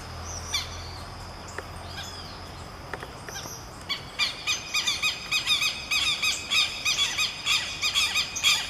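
Southern Lapwings calling in duet: harsh, high, rapidly repeated notes overlapping in a noisy chorus, building after a few quieter scattered calls.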